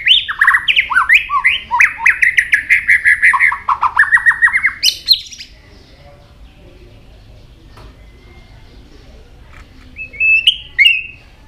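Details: White-rumped shama singing many varied notes while flicking its tail continuously; a rapid run of loud, rich whistled and slurred phrases for about five seconds, then near silence before a brief high burst near the end.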